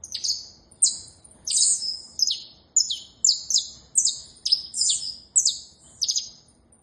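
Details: Saffron finch (canário da terra) singing a run of bright, high, downslurred chirps. About a dozen notes fall at an irregular pace of roughly two per second, some paired closely, against a faint low hum.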